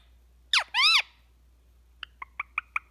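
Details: A pet Indian ringneck parakeet, a talking bird chattering while relaxing with its owner, gives two harsh, arching squawks, then five quick clipped notes about a fifth of a second apart.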